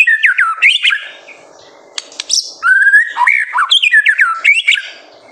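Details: Energetic white-rumped shama song used to spark young birds to sing: quick looping whistles, a brief quiet gap with sharp clicks, then a clear sustained whistle and a run of bouncing, rolling notes.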